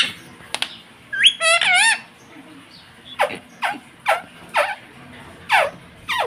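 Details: Pet rose-ringed parakeet, described as saying "mummy" and "papa": a wavering, warbled vocal phrase followed by a series of short, sharp descending calls roughly every half second, with steady background hum.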